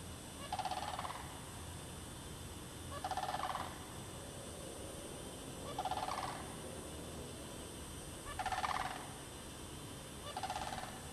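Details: Sandhill cranes in the bog portion of Derby Reach Park, March 2009, with mating cranes present. Five rolling, rattled calls repeat roughly every two to three seconds, some louder than others, over a constant soft hiss.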